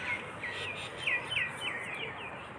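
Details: Birds in a flock chirping at dawn along a dew-soaked country path near a foggy field; a series of bright, down-slurred chirps repeated every few tenths of a second over soft outdoor noise.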